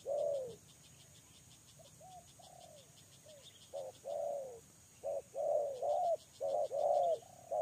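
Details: Spotted dove working as a lure bird: one loud falling coo, a stretch of faint soft notes, then a run of rapid paired coos, with high rhythmic insect pulses throughout.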